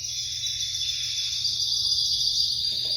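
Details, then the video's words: Spanish canary (espanholinha breed), ringed bird number 55, delivering a sustained high, even trill with rapid pulsed notes held throughout, over a faint low hum. "Canario raça espanholinha, anilha de marcação 55."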